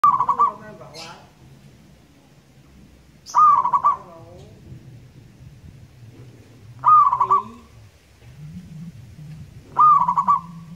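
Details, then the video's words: Local wild zebra dove, used as a lure song, gives a cooing phrase of rapid, rolling notes near one pitch, repeated about every three and a half seconds, with a low hum beneath. "PERKUTUT gacor crosing"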